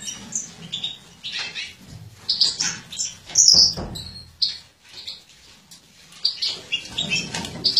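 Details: Female European goldfinch from a captive mutation breeding line, 2017, while feeding; sharp high tweets and short twittering runs come in clusters with brief pauses, with a soft low hum underneath.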